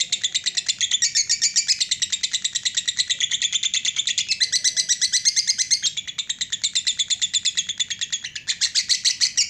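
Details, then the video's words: Long 'ngekek panjang' trill from a lovebird: a sustained, rapid, rattling chatter of high notes lasting over nine seconds, with slight shifts in pitch and loudness but no break. "Lobe bird ngekek panjang"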